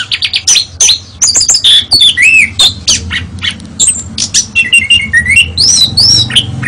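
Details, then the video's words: Oriental magpie-robin, a national champion bird, singing a fast, varied song of sharp high chips, clear whistles and looping slurred notes in rapid irregular bursts, with a low steady hum underneath. "BURUNG KACER SUARA TERBAIK JUARA NASIONAL"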